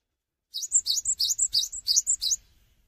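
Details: Cinereous tit singing vigorously without hopping, used to set other cinereous tits singing; about eight quick, high, ringing two-part phrases in two seconds, each a rising chip followed by a higher whistle, in a quiet setting.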